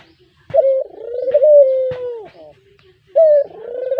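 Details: Spotted dove cooing, used as a lure. A long, smooth coo falls slowly in pitch after a brief opening note, followed by a pause and another rising coo. Faint clicks are heard in the quiet.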